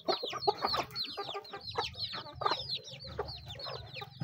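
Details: Chickens feeding, a rapid series of bright, curved peeps with frequent pecking taps and quiet clucks throughout.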